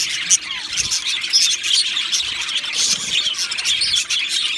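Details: Male Australian budgerigars, two of them, chirp in a fast jumble of thin squeaks and bright whistled notes, with sharper accents early on and a brief lull near the end.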